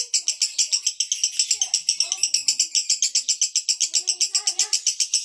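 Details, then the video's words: Male lovebird konslet song, a rapid stream of shrill pulsed chirps repeated near four per second, with faint lower squeaks underneath. "Love Bird jantan Konslet."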